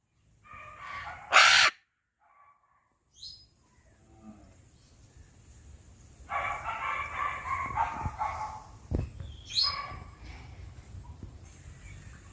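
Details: Caged macaw giving a loud, harsh broadband squawk early on, then a stretch of rough, noisy calling later, with quiet pauses between.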